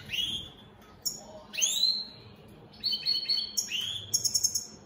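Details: Opal split satiné goldfinch, a colour mutation of the European goldfinch, singing in captivity: clear downslurred whistles, a steady buzzy note and closing quick tinkling chips, over light background hiss.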